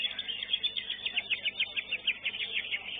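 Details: Greater green leafbird competing in a songbird contest, class 5, the first-place winner: a fast, continuous chattering trill of rapidly repeated high notes, steady in pitch and rhythm, over low crowd murmur.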